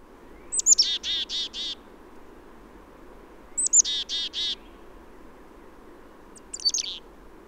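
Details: Black-capped Chickadee in a southern Maine backyard in late March giving its namesake chickadee-dee-dee call: a thin high note then a run of four buzzy 'dee' notes, repeated twice and then partly a third time.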